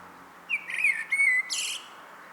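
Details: A common blackbird sings at dusk, giving a few short low-pitched fluty whistles that end in a sudden burst of high, scratchy twittering.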